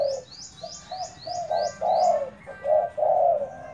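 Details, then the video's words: Decoy spotted dove cooing in low, husky notes that grow louder, while another bird repeats a high descending whistled chirp about five times in the first half. "Dợt cu gáy mồi"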